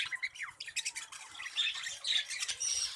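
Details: Budgerigars in a breeding colony chattering busily: rapid high squawks, chirps and short warbled notes overlap continuously, with brief brighter whistled tones near the end.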